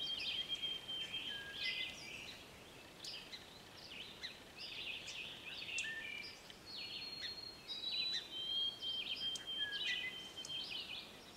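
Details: A frantic Song Sparrow, apparently looking for a young bird to feed, gives a steady run of sharp, high chip notes, about one and a half per second, over a bright scatter of thin whistles and chatter.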